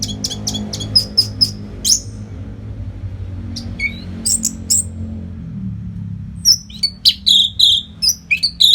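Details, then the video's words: Orange-headed thrush in nonstop training song for fighter birds. A fast sequence of sharp high chips and whistles runs through a quieter mid-section, then ends in a dense string of bright notes. "SUARA MASTERAN ANIS MERAH GACOR RAPET NO JEDA"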